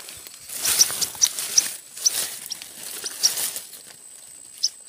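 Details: Tailorbird nestlings (red-headed prenjak) found in bamboo cut for a hut roof, later released: sharp high chirps repeated about every half second amid loud rustling and handling noise, with a steady high insect-like hum.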